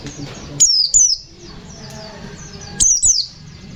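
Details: Gacor white-eye song, 'ngalas nembak' fighter style: two brief pairs of very high, sliding down-slurred whistles about two seconds apart, with soft low background noise.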